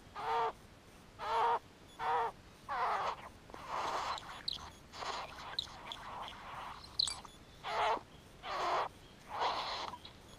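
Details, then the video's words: Male great bowerbird displaying to a female at his bower, giving harsh, grating rasps and hissy churrs about once a second, some with a nasal, buzzy edge. "Male great bowerbird displaying"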